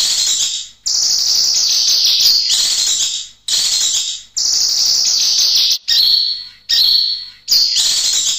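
A kinoy sings long, high, hissing-buzzy trills in sustained bursts a second or two long, separated by brief pauses. Thin whistled notes are threaded through some bursts.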